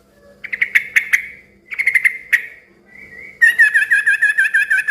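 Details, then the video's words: Yellow-vented bulbul in lively, noisy song that prompts other bulbuls to answer. Bursts of sharp, chirpy notes come in short groups, then a steady run of fast, bubbling chatter through the final second and a half. "suara kicau trucukan gacor ribut yang satu ini suka bikin burung trucuk lain ikut NYAUT BUNYI RIBUT"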